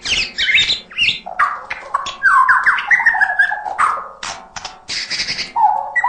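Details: White-rumped shama singing full-fill song: a busy jumble of harsh squawky notes, rapid slurred whistles and chatter, with brief low whistled phrases near the end.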